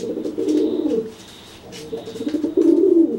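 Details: Cooing pigeon making itself bigger to threaten a wet pigeon after bathing; a low rolling coo, a quiet pause, then a second coo rising in strength at the end.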